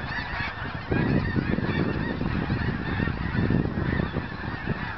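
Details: Mass migration of geese near Crestline, Kansas, 14 January 2011, at an old cemetery: a thick blend of overlapping honking, partly masked by heavy low-pitched rumbling, likely wind, growing louder after the first second.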